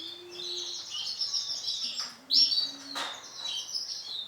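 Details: Male orange sunkist canary giving a high, rapid warbling song of short trills and chirps, with one louder burst midway, over a low steady tone and faint background noise.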